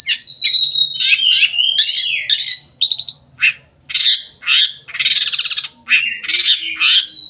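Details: Long-tailed shrike (Lanius schach), song.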